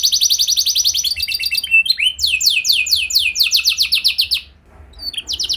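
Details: Canary singing as a lure to make other canaries sing: high rapid trill changing to a run of repeated falling slurred notes, then a short pause and fresh notes.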